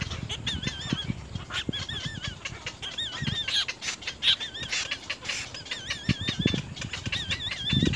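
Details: Little egret nestlings biting at their mother at the nest, giving repeated wavering, trilled calls in short runs, mixed with sharp clicks and rustling.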